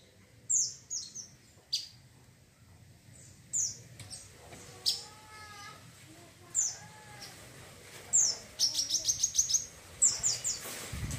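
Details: Wiceh bird chattering, used for training other birds and as therapy: sharp high descending chirps scattered through the clip, ending in a fast burst of rapid ticking notes, with softer lower whistled phrases in the middle.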